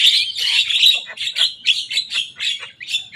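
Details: Young jalak kebo, the Javan myna, delivers a rapid run of raspy, pulsing notes, repeated roughly once a second, as it mimics rivals' songs.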